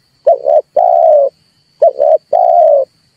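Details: Red collared dove lure call for bird trapping: two clear phrases, each a quick paired low coo followed by a long steady coo, roughly a second and a half apart, with a faint high tone.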